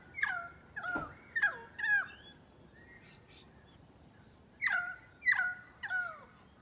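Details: Currawong of Australia repeating ringing whistles that fall steeply in pitch, about two per second in two bursts separated by a short gap. A sharp knock sounds early on.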